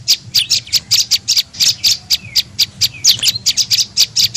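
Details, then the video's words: Tailorbird lure call, prenjak lumut, meant to draw in birds: loud, piercing chirps at about four per second, with a couple of short sliding whistles in between. "SUARA PIKAT BURUNG PRENJAK LUMUT"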